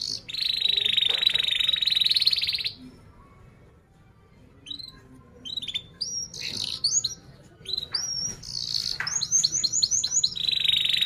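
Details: Domestic canary singing to teach juvenile canaries: a steady high buzzing trill, a quiet pause, then scattered sharp chirps that quicken into rapid repeated falling notes, with faint room noise.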